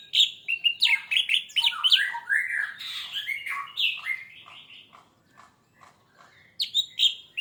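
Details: Orange-headed thrush in full song, played as a lure to prompt singing: a rapid, loud, continuous run of varied whistles, chirps and slurred notes jumping in pitch, briefly fading before resuming strongly.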